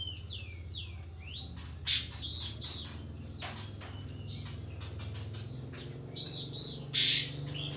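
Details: Pied fantail calling a rival as bait for tail-spreading: opening with quick descending whistled slurs, then a raspy burst, scattered soft whistles, and a louder harsh burst near the end, over a persistent high hum.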